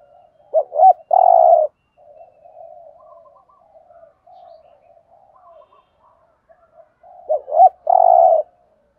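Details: Thúc gù call of a spotted dove in Thổ voice, a decoy sound for bird trapping: a clipped double note leads into a strong drawn-out coo, then quiet rolling murmurs, and the full phrase returns about six seconds later.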